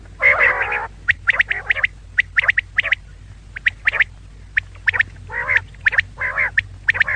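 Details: Calls of a female quail: a long nasal opening note, then rapid bursts of sharp high clicks broken by several short rasping, buzzy notes.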